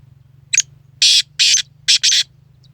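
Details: A black francolin recorded in January 2024 utters its grating five-note phrase, a short sharp note then four loud harsh scratchy notes, the last two close together, above a faint low hum.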